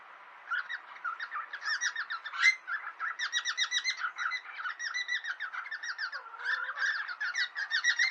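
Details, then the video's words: Pet cockatiels in a friendly fight give a continuous stream of rapid, scratchy chattering notes, several per second, with brief louder squawks mixed in and a short low whistle near the end. "Ｃｏｃｋａｔｉｅｌｓ friendly fight & Talking in own language"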